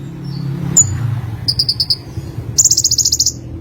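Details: Olive-backed sunbird singing: a thin sharp note, a run of five evenly spaced high chirps, then a fast ringing buzzy trill, over a soft low hum.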